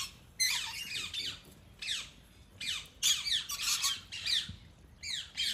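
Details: A rainbow lorikeet, Palmerston North, New Zealand, gives harsh, shrill screeches in quick bursts, about two every second with brief pauses, sounding a little roomy as if indoors.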